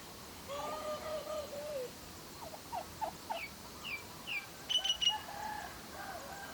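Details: Domestic turkeys on a farm searching for food in the evening; a series of short clucking and yelping notes, some with stacked tones, some falling, repeated irregularly over steady background hiss.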